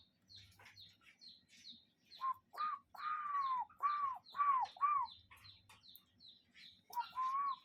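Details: Cuckoo calling outdoors: a burst of about seven rounded, arched notes in quick succession, then a short pair at the end, while small birds chirp steadily in the background.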